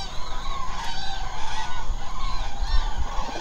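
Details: Common cranes at night at their roost in the Hula Nature Reserve, Israel, a remote wetland of lakes and marshes. A dense chorus of overlapping trumpeting, honking calls from many birds continues throughout, with a low rumble underneath.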